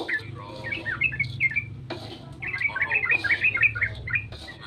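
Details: Yellow-vented bulbul at dawn, used as a lure: a short whistled phrase, a pause, then a busier burst of chattering notes over low background hum.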